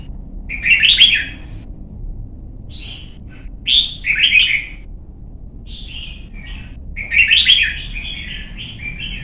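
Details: Young white-cheeked red-whiskered bulbul in competition song training: bubbling warbled phrases mixed with short whistled notes, the final phrase long and varied, separated by brief pauses, low hum throughout.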